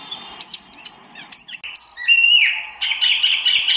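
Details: White-eye, known as tieu mi or wambi mini, singing a varied string of high chirps and slurred notes that ends in a sustained, buzzy, wavering trill.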